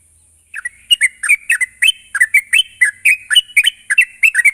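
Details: Sooty-headed bulbul, recorded as a lure to make a bird sing quickly (ngropel): after a brief quiet start, rapid rolling chirps and liquid whistles in pairs follow one another without pause, with light hiss.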